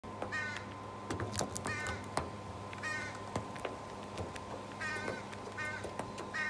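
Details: Young female American crow filling her sub-lingual pouch with food to carry to her sibling, which calls nasal, harmonic caws in short bursts every one to two seconds; clicks, handling noises and a steady hum behind.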